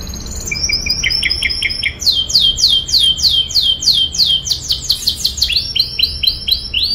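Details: Canary song in a rolling style, a series of fast trilled phrases: high whistled notes, then a low short stutter, then repeated sweeping down-slurred syllables changing type every second or so.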